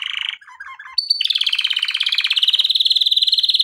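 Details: Male canary singing for training, short trill and soft chattering notes, then a long rapid rolling trill of repeated notes held for over two seconds; brief foreign-language remark afterward.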